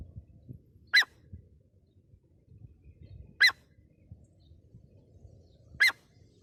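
Grey francolin giving three loud, shrill, harsh calls about every two and a half seconds, over a low background rumble.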